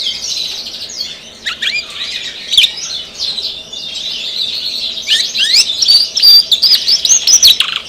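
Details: Canary known as a vigorous singer, giving softer, choppier song: scattered chirps and short trills at first, then a brighter run of rapid repeated whistled notes in the second half.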